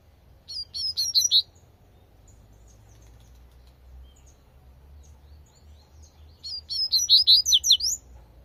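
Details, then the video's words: Wild double-collared seedeater giving its 'tui tui' song: two bursts of rapid, high, sharp slurred notes, the first near the start and the second after a pause of about five seconds, with faint low ambient rumble between. "coleirinho cantando tui tui"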